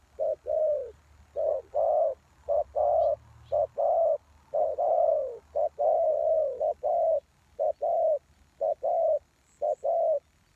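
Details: Spotted doves calling at a lure for wild doves, with dense, overlapping two-part coos, each a brief note followed by a longer purring coo, as if several birds answer one another almost continuously, with faint high chirps.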